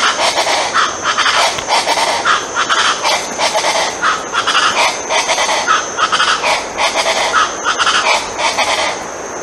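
Colombian chachalacas give loud, harsh, raucous calls in a dense overlapping chorus, the rasping notes tumbling over one another with no steady rhythm.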